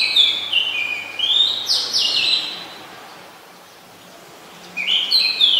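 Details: Oriental magpie-robin singing in Ubon Ratchathani, Thailand, 20 September 2022, captured on a Nikon P1000. Bright whistled notes and sharp downward slurs come in a burst. A silent gap of about two seconds follows before the song resumes.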